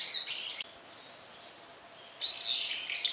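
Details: Brown-eared bulbul giving short, strident, buzzy squeals at the start and again after a quiet gap of over a second, with only faint hiss between.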